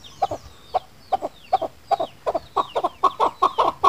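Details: Chukar partridge call for luring birds while hunting: paired clucking chuk notes repeated about twice a second, growing denser and louder toward the end, with faint thin whistles above.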